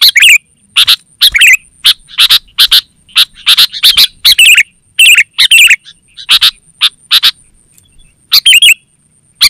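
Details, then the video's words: Kutilang (sooty-headed bulbul) singing briskly in a track for attracting wild birds and teaching caged ones. Quick successive chirps and short warbled phrases pour out for most of the stretch, then thin to a few notes near the end, over a faint high hum. "Suara Burung KUTILANG GACOR Terbaik Untuk Panggilan dan Masteran"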